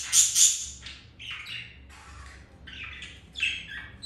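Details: Pet budgies during mating; shrill high squawks open, followed by quieter gritty chirps and warbles in short separated bursts, with a faint hum underneath.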